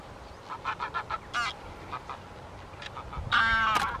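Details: Wintering White-fronted Geese at Wimpole Hall, Cambridgeshire, in December 2020: a string of short, yelping, nasal honks, with a louder, rich cackling burst near the end over a low background rumble.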